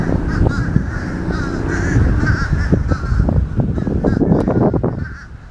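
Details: Fish crows in a noisy crowd, their clipped nasal caws piling over one another in a dense, unbroken din. Clicking and rustling grow toward the end over a low background rumble.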